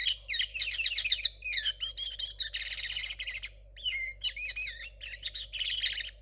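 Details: A linnet hybrid born in 2022, still learning and its song messy, sings continuously. Quick chirped notes, a dense buzzy trill and looping whistled phrases mix over a steady low hum.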